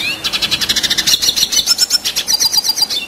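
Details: Rolling, nonstop red siskin song from a kept bird: a fast stream of even, buzzing pulses about six per second, overlaid near the end with a run of sharp high twittering notes.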